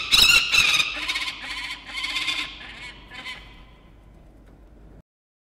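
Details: Young peregrine falcon calling to the adult male at a nest in Orange, New South Wales, morning of 4 August 2021; harsh, rasping, harmonic cries, loudest at the start, then fading and softening over several seconds.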